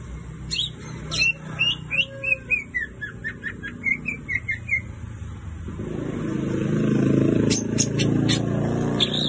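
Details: Greater green leafbird singing: a run of quick chirped notes stepping downward in pitch for about four seconds, followed by a few sharp high notes as a passing engine rumbles loudly.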